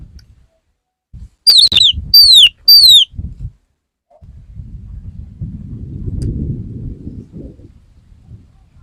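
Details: Male Oriental magpie-robin wooing a female: three loud, evenly spaced descending whistled notes, followed by low rumbling background noise.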